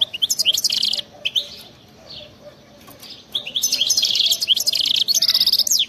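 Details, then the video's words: Goldfinch with wild-type 'khlowi' song and crazy 'betbta' trilling, used to get silent goldfinches singing: a phrase of high, rapid twitters, a pause with soft notes, then a longer, louder twittering burst. "أطلع لي اي حسون ما يغنيش وسمعو هذا التغريد 😱😠 راح يغني بدون مقدمات بتبتة جنونية وغناء خلوي خرافي"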